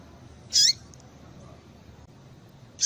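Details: A female yellow-bellied seedeater, used to stimulate males, gives one strong, high, sharp chirp with a short rising tail, followed by a quiet pause before a second chirp begins.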